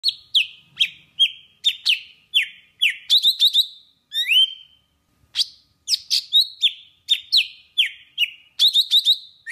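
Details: Golden-fronted leafbird from Vietnam, in a lure song used for bird trapping: sharp, loud notes dropping from high to mid pitch, given in fast runs of repeated phrases with a short pause midway, plus a rising slurred whistle.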